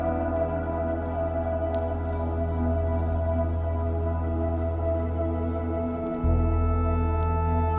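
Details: Ambient new-age music of held synth tones and a deep droning bass, with a brief shift in the low note near the end; no animal sounds.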